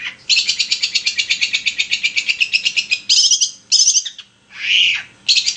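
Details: Long-tailed shrike song as a provoking lure: a long rapid rattling trill, followed by harsh bursts and a single drawn-out nasal squawk.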